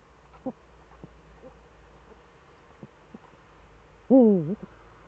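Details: Eurasian eagle-owl in the Eifel, 18:47 on 11 March 2013, with both owls back: near-silence with faint clicks and taps, then one short, loud, wavy call rising and falling in quick undulations.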